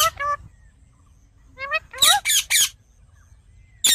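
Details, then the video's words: Rose-ringed parakeet, a ringneck parrot; tonal, rising chattering notes give way to a few loud, harsh screeches, with a final sharp squawk after a pause. "Parrot Talking Natural Sounds"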